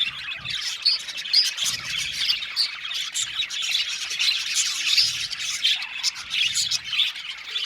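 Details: Budgerigars in an aviary colony chirp together in a dense, continuous chatter of high, scratchy twitters and short squawks. The bursts overlap without pause, with soft low thumps now and then in the background.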